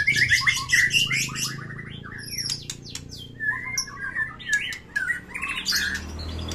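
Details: White-rumped shama in fighting mood, singing a rich varied song used to prompt silent birds: fast buzzy trills and whistled notes around the upper-middle range, then sharp scattered clicks and rising phrases, with a low hum underneath.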